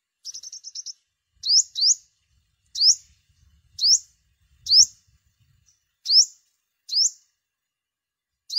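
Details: Olive-backed sunbird, described as five-coloured and yellow-bellied, used as a lure sound in migration season: a fast trill of short high chips, then sharp rising upslurred notes at about one-second intervals, with faint low rumbling.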